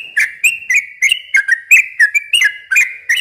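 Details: Chattering, bubbly whistles from a yellow-vented bulbul, used to lure young birds. The notes fall in quick succession, each opening with a sharp tick and a short slurred whistle.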